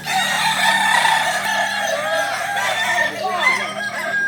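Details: Crowing Kokok Balenggek roosters at a Sawah Lunto practice contest final, 16 July 2023: overlapping loud, shrill crows rising and falling in stepped phrases, over a steady low hum and murmur of a crowd.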